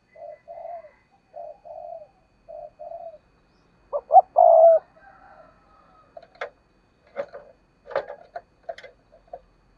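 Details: Decoy spotted dove on a perch: a series of soft paired low coos, then a loud hoarse phrase ending in a long note, followed by clicking, knocking sounds.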